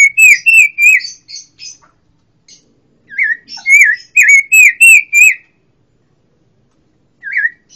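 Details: Orange-headed thrush, known locally as pancawarna, singing clear whistled phrases that swoop and rise, repeated in quick bursts with thin high notes between, then a pause and a single later phrase.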